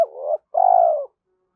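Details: Close spotted dove coo meant to stir up other doves: a wavering low note, a short pause, then a longer, steady, husky coo that fades out.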